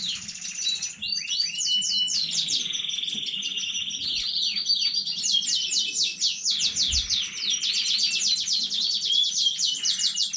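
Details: Domestic canary, newly bred, singing on 15.05.2019: a long continuous performance of loud rolling trills and fast repeated high downslurred notes, switching tours every second or two without pause.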